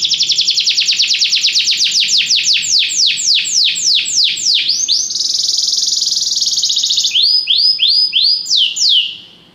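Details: Belgian canary under song training: quick falling whistled notes slow gradually, give way to a sustained high rolling trill, then to a few separate rising-and-falling chirps fading out.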